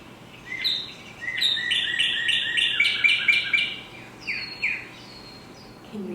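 A Northern Cardinal sings loud, clear slurred whistles: a quick run of about nine rapid repeated notes, then a few slower downslurred whistles.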